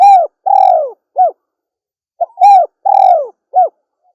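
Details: Female spotted dove cooing: clean, mellow, slightly falling coos given in two phrases of three notes, a long coo, a longer one, then a short clipped note, with silence between.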